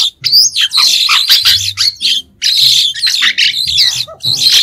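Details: Squeaky, buzzy warbling of a white-shouldered starling, dense scratchy phrases with shrill peaks and a few lower chuckles, almost unbroken across the stretch except one short pause; a soft low hum underlies it.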